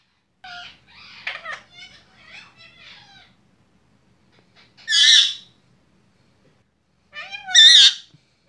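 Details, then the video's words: Pet Lutino ringneck parakeet indoors giving a few soft chattering notes, then two loud, harsh, high squawks several seconds apart, with quiet gaps between. "My sweet Lutino ringneck talking"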